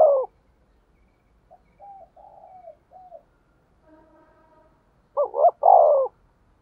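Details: Decoy spotted dove luring wild doves, giving a few soft, low cooing notes, a pause, then a loud burst of two short hooting notes and a long, falling mellow coo.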